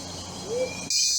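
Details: Whooping Motmot in Central American tropical rainforest gives one soft, low, slightly rising whoop lasting a quarter second, sounding far away though closer than it seems; motmots sit low while calling. Steady high insect trill behind.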